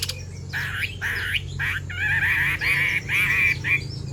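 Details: Female Chinese hwamei calling to stir a male into singing, giving harsh, buzzy repeated phrases with wavering notes, about four bursts a second, over a steady low background hum.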